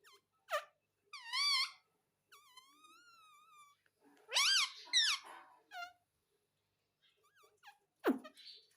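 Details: Parrot kept as a pet, imitating "mummy": clipped voiced syllables, a longer wavering tone, and a pair of loud, squawky rising-falling phrases, ending with a sharp click-like note in an otherwise quiet room.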